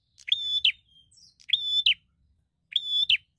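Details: Bar-winged prinia singing actively as a fighter seeking a rival. Three rich, buzzy, flat notes, each snapping downward at the close, spaced about 1.2 seconds apart, with low rustling between them.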